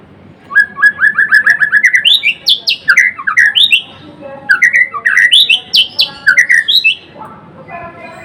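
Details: Vigorous song of a Murai Blorok white-rumped shama: a quick ascending run of repeated whistled notes leading into loud looping, swooping phrases repeated in rhythmic bursts.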